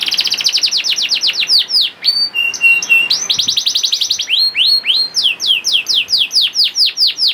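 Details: Juvenile canary singing a lure song meant to get other canaries singing: a rapid rolling trill of descending sweeps, a brief pause with level piping notes, then renewed bursts of curved, falling whistles repeated several times a second.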